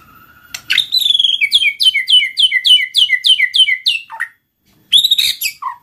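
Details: White-rumped shama, called murai batu, singing to prompt other shamas: a rapid run of about a dozen high, bouncing two-part whistled notes, a low dip, then a further high burst.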